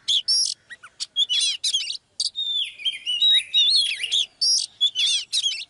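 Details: Caged Oriental magpie-robin, a female used to rouse a male into full song: rich, varied whistled phrases, sliding notes and quick chattering bursts in rapid succession, with brief pauses between phrases.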